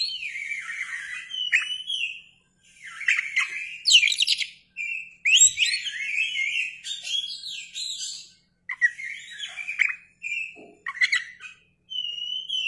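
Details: Oriental magpie-robin, called kacer, singing continuously with its tail fanned, recorded as a lure: clean sequence of warbled whistles, buzzy chatters and rising slurred notes separated by brief pauses, no other clear sounds.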